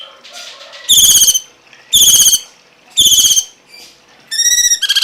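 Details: Cungkok uttering buzzy, grating high notes about once a second, ending in a clearer ringing whistled note and a rapid stutter, over a quiet background.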